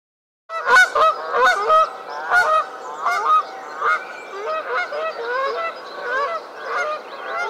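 Canada geese give loud, nasal honks, several birds calling over one another in quick succession.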